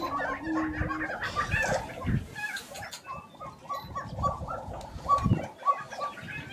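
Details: Several grouse at a Colorado lek in April 2023 keep up a steady chorus of short nasal clucks at an even pace, with occasional low thuds and a brief low tone at the start.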